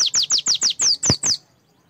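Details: Oriental white-eye song used to get birds singing: eight quick, high, down-slurred whistled notes in even succession, then silence.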